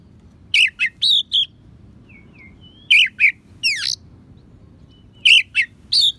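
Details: Oriental magpie-robin singing with mimicked sparrow and prinia fill-ins, used to tutor songbirds. Quick series of shrill chirps and slurred notes come in three bursts, with soft short whistles and one buzzy upward sweep between them.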